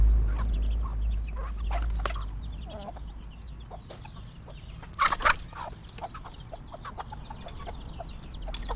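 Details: Feeding chickens, many together on a farm, startled by a noise: scattered short clucks and chirps, a burst of sharp louder calls midway, over low rumbling background noise.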